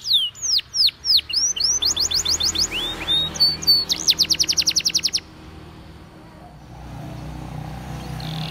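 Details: Belgian canary training song: rapid sweeping whistles and quick trilled runs for five seconds, then song stops leaving only low background hum.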